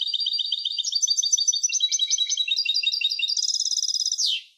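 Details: European goldfinch hybrid singing continuously: bright, tinkling high notes in quick succession, varied phrases, then a tight rolling trill closing with a downward swoop; quiet background.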